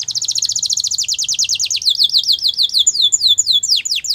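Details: Belgian canary singing for training purposes, a long fast trill of high downslurred notes gradually slowing into wider spaced swooping whistles, ending with steep falling strokes.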